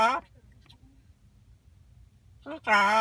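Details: Kiwi, a pet macaw at home, talking with another bird, gives two brief, voice-like talking phrases, one at the start and one at the end, with a quiet pause between them.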